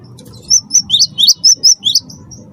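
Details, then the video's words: Close, clear cinereous tit of the wingko variety used to draw song from other birds: eight evenly paced high notes, alternating flat and downward-swooping, spread over two seconds. "gelatik batu wingko gacor pancing bunyi suara cerewet"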